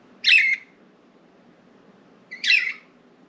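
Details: Pet budgies flying free indoors and perching on window blinds near their cage; two harsh, buzzy chirps about two seconds apart, each a quarter-second burst, over a low steady room hum.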